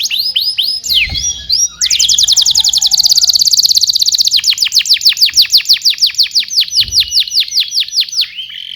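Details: Canary in energetic song for tutoring young birds: a few swooping whistles, then a very long, fast, rolling trill of falling notes, loud and even, gradually slowing toward a final sustained tone.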